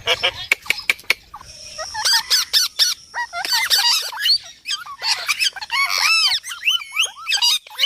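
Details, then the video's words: Indian ringneck parrot vocalizing: sharp clicks, then a run of rising and falling harmonic whistles and squawky notes at high pitch, densely clustered and repeated through the second half. "Talking parrot video|Ringneck parrot video|Parrot sound|parrot voice"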